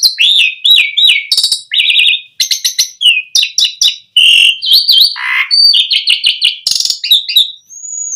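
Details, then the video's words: Continuous Asian pied starling song used to lure other starlings into singing: varied whistles, squeaks and buzzy chatters in quick succession, some falling slurs, with almost no pauses throughout. "Suara Jalak Suren Memancing Burung Jalak Biar Cepat Full Isian Mewah"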